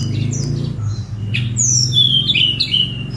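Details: Sunda robin (tledekan gunung) singing out of the cage, phone recording: a long high whistle gliding downward, followed by wavering descending notes over low background noise.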